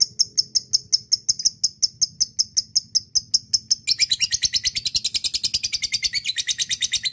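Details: Lovebird long ngekek chatter, a call to a rival used as a lure: steady high piercing chips about every quarter second, breaking midway into a dense, rapid, buzzy stream of notes that runs to the end.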